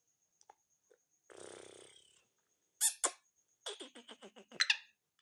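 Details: Black francolin in Sindh, Pakistan, February 2022, calling at 8:45 at night while a man urges it on. A long buzzy rasp, then a rapid stuttering run of harsh notes, over a faint steady high whine.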